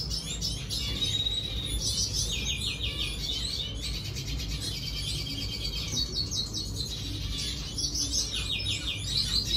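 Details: A red siskin sings rapid chattering phrases with buzzy trills and thin high notes, in runs separated by brief pauses, above constant low-pitched background hum.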